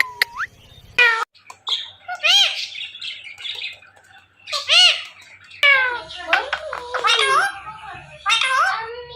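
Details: Indian ringneck parrot mimicking human speech and saying its name, a run of harmonic, warbling talk-like syllables rising and falling, separated by short gaps, with a brief tone and music at the start.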